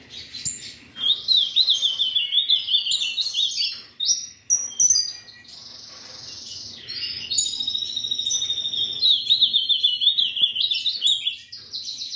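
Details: Ultramarine grosbeak (azulão) from an amateur breeder, singing long warbled phrases of clear whistled notes, rapid trills and slurred up-and-down glides, loud with brief pauses, no other sounds evident.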